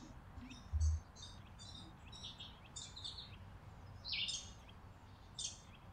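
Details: Chickadees feeding on a porch in winter, December 2022, giving faint high chipping notes scattered across the clip, with a soft low thump near the start over a quiet rumbling background.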